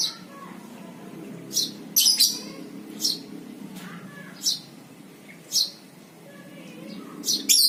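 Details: Lovebird ngekek lure: sparse, sharp high chirps roughly every second, with a few doubled harsher notes, heard over a quiet low background hum.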